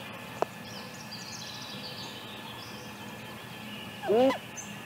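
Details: A female great grey owl near a nest camera in Mission Valley, just after leaving the nest at 7:55 am on May 6, gives one short, harsh, wavering cry near the end, with a few layered tones; faint high songbird twitters run throughout over a soft hiss.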